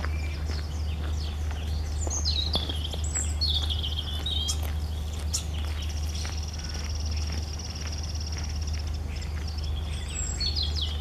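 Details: European robin singing a long, varied phrase: tumbling, sliding high whistles, fine trills and a sustained thin note, with brief clicks and a constant low hum underneath.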